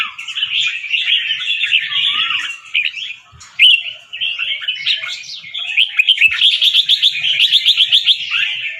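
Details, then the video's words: Competition-line caged red-whiskered bulbul, a white albino fancy bird with red eyes from Chonburi, Thailand, practising its doubled, trilling, fast-chopped song: continuous chattering warbles, a brief pause, then a long stuttering run of quick repeated notes. "นกกรงหัวจุกแฟนซี เผือกขาว ตาแดง เจ้าฉลามชล เสียงร้องเบิ้ลๆ ริกๆ สับไว"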